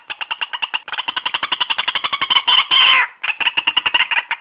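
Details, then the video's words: White-breasted waterhen call recording for bird trapping: a fast, steady stream of harsh, nasal croaks repeated several times a second, swelling into two longer grating notes before the rapid series resumes. "suara ruak ruak terbaik"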